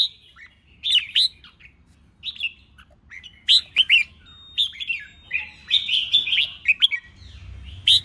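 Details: Red-whiskered bulbul contest singing in the 'ché chét' style, meant to provoke newly caught birds into song: short bright chirpy phrases, warbling and slurred, repeated in bursts with brief pauses over a faint low hum.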